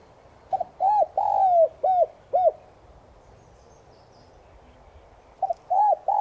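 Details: Spotted dove (Streptopelia chinensis tigrina), a decoy bird with a 'Son' voice giving its morning call to stir other doves to coo: a clipped double note, arched mid-pitched coos and one long falling drawn note, then a new phrase begins after a pause.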